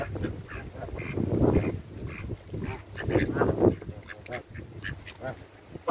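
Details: Canada geese being fed by hand utter rough, clustered honks in two bursts amid clicks and general background noise.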